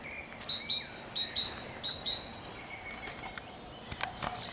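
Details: Great tit song recorded 7 June 2021 alongside a singing blackcap: about six high, sharp notes in quick rising-and-falling pairs over roughly 1.7 seconds, followed by faint scattered chirps and clicks.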